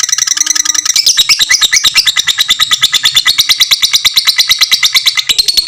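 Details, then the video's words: A fighter lovebird in a long ngekek, the kind of extended chattering song used to train other lovebirds: nearly six seconds of unbroken, rapid, shrill pulses, slightly rising and falling in pitch. "suara lovebird fighter ngekek panjang sangat bagus buat masteran semua jenis lovebird"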